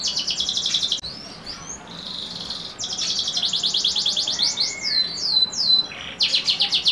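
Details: YS x SF bloodline canary song: quick high trills, a brief drop to quieter soft notes, then rolling repeated trills with a few falling whistles and a fresh burst of fast trilling at the end.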